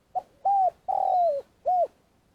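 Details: Lure spotted dove from Vietnam in long calling, one phrase: a brief note, a level hoot, a long slurred coo sliding downward, and a closing short arched hoot.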